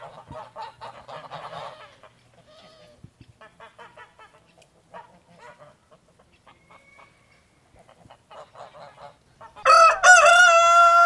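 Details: Chicken (Gallus gallus domesticus), crow.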